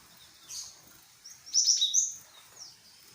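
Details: Great tit lure call used to make the bird answer: a few thin, very high chirps, then a louder cluster of three sharp, bright notes mid-clip and a fainter note after, over quiet background hiss.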